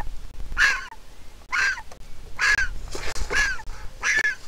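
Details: Griffon vulture chick, hatched 22 April 2021 at a nest in Israel, begging its mother for food. Strident, grating cries roughly once a second, steady and insistent, with low background rumble.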